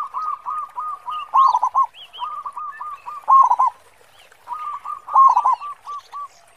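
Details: Three phrases from a lively local zebra dove prized for its big 'khong' voice as a singing lure; each starts with clipped hollow coos that swell into a loud rolling trill, with small chirps from other birds overhead.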